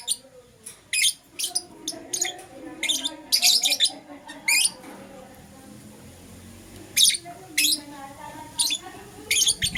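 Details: Shrill chirping from Euwing green opaline and lutino lovebirds in the morning: quick clusters of high sharp notes, a quiet spell of a couple of seconds mid-way, then renewed single chirps.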